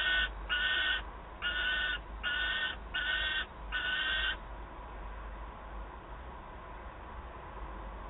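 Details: Juvenile peregrine falcon in Wałbrzych, Poland, on 9 August 2022, pleading with its mother for prey: five or six hoarse, scratchy cries given about once a second, then a low steady hum for the remaining seconds.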